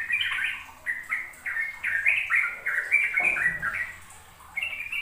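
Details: Sooty-headed bulbul delivering rapid ropel song to coax young birds into singing: bubbly, tumbling notes in a continuous flow that fades slightly near the end, then a final bright phrase.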